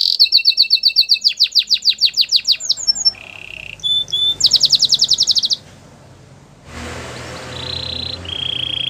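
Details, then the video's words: Belgian singing canary, kept and sung for training other canaries: fast high rolls of repeated notes, then a steady buzzy tone, a pause and another pair of drawn-out high whistles over low background hum. "The belgian singing canary"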